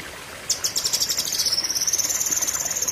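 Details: Cucak kinoi opens with a sharp high note. A long, fast trill follows, dipping slightly in pitch and then holding steady and piercing for over two seconds.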